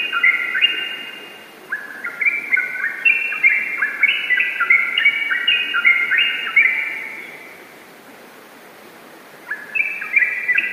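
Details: Yellow-vented bulbul in energetic gacor ropel song, meant to prompt other birds: long cascades of bright, liquid whistles stepping up and down, a pause of about two seconds, then another quick bubbling phrase.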